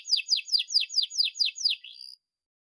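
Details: Canary singing, offered as a model for young canaries learning to sing: a series of about eight quick descending whistled sweeps, each roughly a fifth of a second apart, ending in a softer trailing note, then silence.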